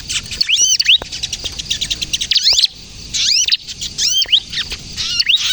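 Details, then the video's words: Bar-winged prinia singing vigorously in the kejepit style, used to lure birds and prompt young birds to sing: bursts of high, sharp chirps and arched whistled notes with brief pauses between phrases. "suara burung ciblek kristal gacor, ciblek kejepit untuk pikat dan pancingan ciblek bahan agar bunyi"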